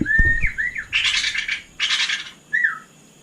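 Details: Brief night phrase from a white-rumped shama (murai batu): a slurred whistle, two dense buzzy rattling bursts, then a short falling whistle, with a few low knocks at the very start.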